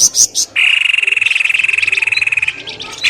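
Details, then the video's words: Bird lure sound used to draw birds from bushes: a few high chirps, then a long, fast, evenly pulsed trill lasting about two seconds. "SUARA PIKAT BURUNG pelamboyan ribut"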